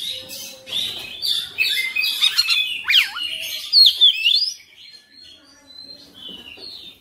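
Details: Oriental magpie-robin singing persistently through its repertoire (bongkar materi), pouring out dense warbling and whistled notes with a steep dropping slur, then fading to quieter high whistles.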